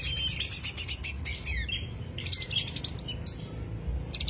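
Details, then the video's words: Greater green leafbird lure song: dense, varied high twittering with sliding whistled notes and fast stuttering trills that pour out almost without pause. "pancingan suara cucak hijau"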